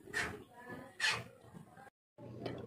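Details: Talking hill myna mimicking Indonesian speech: two clear spoken syllable bursts, a brief silence, then another muffled phrase.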